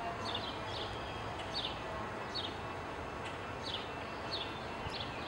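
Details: American goldfinch at a feeder giving short, high, downslurred chip notes in an irregular series roughly every half second, over a steady low rumbling background noise.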